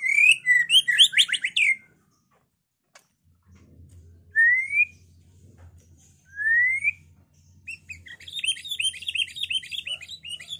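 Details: White-rumped shama song used to provoke other birds to fight and sing: rapid, varied twittering phrases, then two clear rising whistles separated by pauses, then dense, high chattering notes over a low steady hum.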